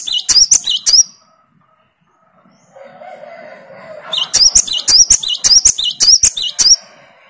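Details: Great tit responding to a singing great tit used as a lure. Three quick, shrill repeated phrases, a pause with faint low murmuring, then a longer run of about seven bright, rhythmic phrases.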